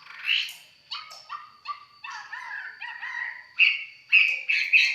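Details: Red-whiskered bulbul, a mộc chiến bird in relaxed song, giving short separated warbling phrases and clipped whistles at uneven intervals, ending in louder bright notes.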